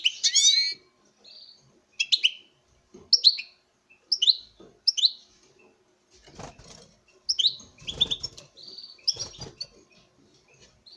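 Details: Captive-bred male European goldfinch singing to a female: bright twittering phrases with buzzy, nasal notes and sharp upward flourishes, in short bursts separated by pauses, with low cage clatter and rustling beneath.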